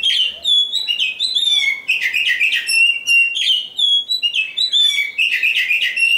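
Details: Champion oriental magpie-robin in full song: a varied stream of clear, high whistled phrases, with slurred notes, quick sweeps and repeated chattering motifs delivered loudly and almost without pause.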